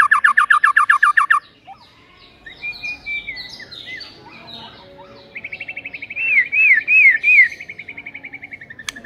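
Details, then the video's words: White-rumped shama (murai batu) in a provoking recording meant to rouse a lazy bird, with tight, rapid bursts: a fast buzzy trill of about a dozen notes, then a pause, scattered whistles and a rippling wavy whistled run. "PANCINGAN EMOSI MURAI BATU PEMALAS MATERI PEDES TEMBAKAN RAPET"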